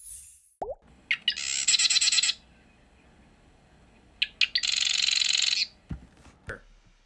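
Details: Marsh Wren, a bird of cattails over deep water, giving its loud chatter: two loud, high, buzzy rattling chatters, each about a second long and led by a few sharp ticking notes.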